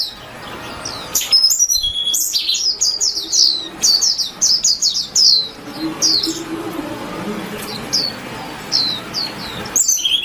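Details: Warbling white-eye twittering: a rapid cluster of high, slurred chirps in the first half, then a quieter stretch with faint murmuring before a few more sparse high falling notes near the end.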